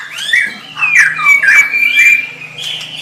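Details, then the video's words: Smooth, fluty whistled phrases from a white-rumped shama, rising and falling in loops over a faint low steady hum. "SUARA MURAI BATU"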